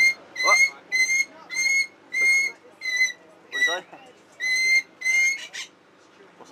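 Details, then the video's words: Pet parrot talking and saying words; here a run of loud, clear whistled notes with a sharp rising-falling pitch, repeated about every half second, mixed with a few rough, speech-like squawks. "Talking Parrot talks Says "alright""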